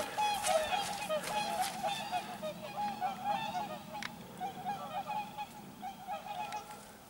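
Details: A flock of whooper swans leaving for the south on autumn migration, 10 October 2014 around 09:22, calls together in loud, bugling, trumpet-like honks that overlap in a steady, rapid chorus of several notes each second.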